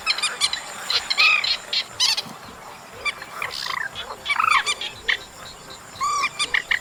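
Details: Chestnut munia calls recorded in August: scattered sharp chips mixed with several rounded, arching whistled notes that rise then fall, spaced unevenly across the clip, over a constant high-pitched hum.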